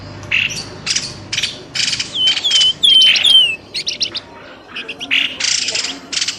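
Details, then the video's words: Bird lure call meant to pull birds out of scrub at once: scratchy chattering bursts, roughly two to three per second, with a short run of clear descending whistles in the middle. "SUARA PIKAT BURUNG pelamboyan ribut"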